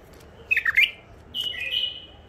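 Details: Caged wild bulbul, an old catch from Mandali kept in first isolation, gives a quick burst of rich warbled notes. After a short pause it adds a long, smooth whistled phrase that slides gently downward.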